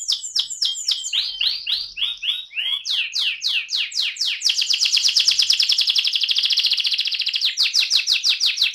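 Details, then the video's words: Energetic rolling (ngerol) song of an AF canary. Looping slurred notes build into a long, fast, buzzy trill at high pitch, then end in crisp sweeping notes. "kenari AF ngerol"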